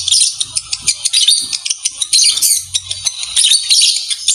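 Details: Lovebird mating call used to prompt breeding: dense, shrill high-pitched chatter of quick squeaks and twitters, pulsing rapidly with only short breaks.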